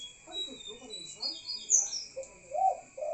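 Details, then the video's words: Spotted dove at night ending with a low, throaty two-note coo after some murmured sounds. High twittering from other birds and a steady whine sit above. "BURUNG CEKUKUR BUNYI DI MALAM HARII"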